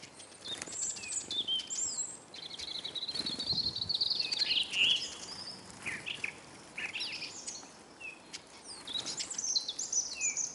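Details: Many hungry Eurasian siskins at a bird table in Kolmården, Sweden, filmed from beneath the feeder: continuous high twittering chatter with a drawn-out buzzy trill and scattered short whistled notes.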